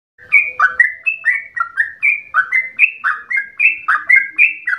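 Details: Yellow-vented bulbul (trucukan) in full, long rapid-fire 'ropel' song, said to sound like a straw-headed bulbul: bright liquid whistled notes, each a quick upslur then drop, about four per second, with no other sounds.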